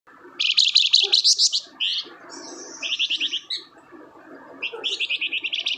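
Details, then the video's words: Flamboyan bird in full, lively song, used as a lure to prompt other flamboyan to sing: bright high chirped trills in fast bursts, a brief whistled glide, then more rapid repeated notes with pauses. "BURUNG FLAMBOYAN GACOR"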